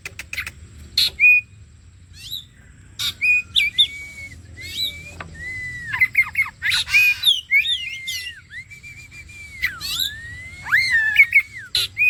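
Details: Oriental magpie-robin bait song to make another bird sing: scattered clicks and short chirps build into long, smoothly looping whistles, rising and falling, mixed with harsh chatter near the end.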